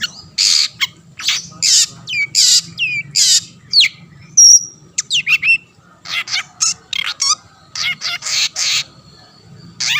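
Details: Long-tailed shrike (cendet), a lively singer used to provoke rival shrikes into singing: loud harsh bursts mixed with sharp rising and falling whistled notes, irregular phrasing, a steady low hum beneath.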